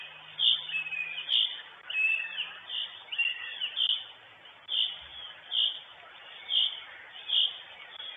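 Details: Female northern goshawk on the nest in Estonia, live nest camera, 23 June 2022: a run of about nine shrill, clipped calls spaced under a second apart, with fainter whining notes between them and constant hiss.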